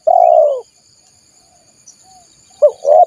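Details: Wild-dove lure sound of a spotted dove: a long, mellow, slightly falling coo, a short silence, then two quick rising notes opening the next phrase, over a faint high hum.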